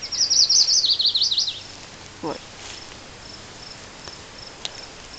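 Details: A chestnut-sided warbler, identified by binoculars and noted as singing an unusual song, gives a quick, high run of sweet notes sliding lower at the end; a brief low sound and faint ticks follow.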